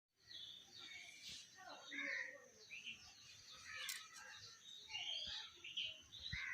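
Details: Common hill myna, a talking bird, relaxing in a garden: a mix of short clear whistles, rising and falling chirps and a few harsh bursts, with steady chirping from other birds in the background.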